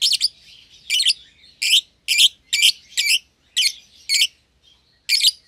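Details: Pair of young lovebirds, euwing green opaline and red-eyed albino, sharing one cage; shrill grating chirps in steady succession, about eight in five seconds, over faint background chatter.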